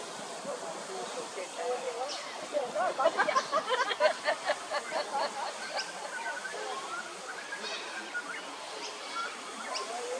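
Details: Australian wood ducks at Hervey Bay, Queensland, give a run of nasal, mewing calls, about two a second, over a steady rushing background.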